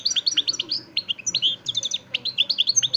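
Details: A pet European goldfinch of montijo stock from Extremadura sings nonstop: a fast, tinkling run of high twittering and slurred notes with a few buzzy trills.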